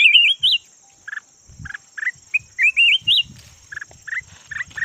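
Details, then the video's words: Decoy red-whiskered bulbul of the yellow type, kept as a lure bird, delivering rapid loud whistled notes and rolling slurred phrases in quick succession, with a faint constant high-pitched hum and soft low knocks behind. "chim chào mào vàng chim mồi"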